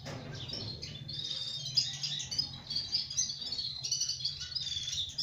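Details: A small sparrow chorus keeps up a dense stream of sharp, high tweets, many birds calling over one another without pause, with a low rumbling hum beneath.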